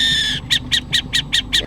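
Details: Burrowing owl; alarm call; warning when it senses a threat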